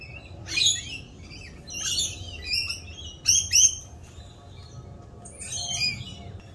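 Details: Rainbow lorikeets during mating season and their mating dance; shrill chattering squeals and screeches in irregular clusters, two quick sharp shrieks in the middle.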